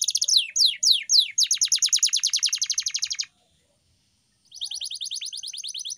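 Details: Pet canary training song meant to stimulate rarely singing birds: a few sharp downward-sweeping whistles open into a fast, even, high trill lasting about two seconds, a one-second silence, then a thin rapid trill resumes.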